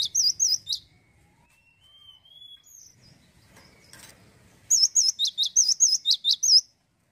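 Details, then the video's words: Male cinereous tit singing vigorously: a fast run of high, wavy whistled notes, a short burst then a longer string of about nine, separated by a quiet gap with faint thin sliding whistles in the background. "GACOR TANPA PEMANIS BUATAN,GELATIK BATU JANTAN LOSSDOL"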